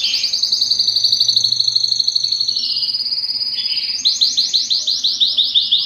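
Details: Belgian canary singing a fast high rolling trill, sliding slightly lower, then switching to a series of loud repeated downslurred notes, about two per second.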